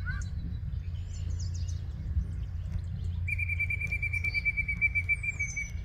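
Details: Yellow-breasted Chat singing at Osborn Metropark, Huron, Ohio, on 23 May 2023 at 10:12 AM. A few quick high chirps come first, then a long steady pure whistle is held for over two seconds, with a constant low rumble behind it.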